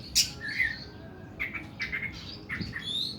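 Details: Oriental magpie-robin singing harsh, long 'nembak' phrases: a sharp high note, then scattered short whistles and chirps with quieter gaps between them.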